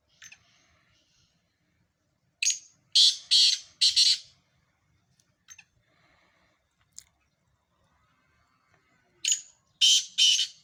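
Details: Black francolin calls from a mix of recordings: two grating phrases of harsh repeated bursts separated by several seconds of quiet with scattered faint clicks.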